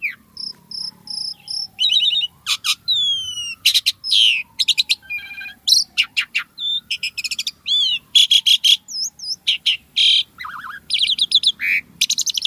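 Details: Asian pied starling in full, busy song: a dense run of sharp chirps, harsh rasping bursts, looping whistled notes and trills delivered almost without pause, with a faint low drawn-out tone underneath early on.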